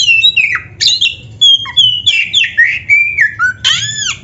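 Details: Oriental magpie-robin master song for training caged birds to sing. A rich, varied run of loud whistled notes, falling and rising slurs, and squeaky harsh bursts follows in rapid succession. The setting is otherwise quiet.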